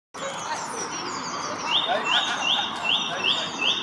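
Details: Song thrush singing high in a tree, Pittencrieff Park, Dunfermline, Scotland: one short, bright, high note repeated about six times at a quick, even pace over a steady rushing hiss.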